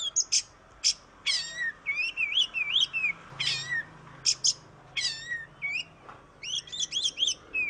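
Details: Oriental magpie-robin song, 'ngoceh' chatter meant to prompt a silent bird to sing: loud harsh bursts alternate with fluid wavering whistles and quick stuttered phrases, with short pauses between.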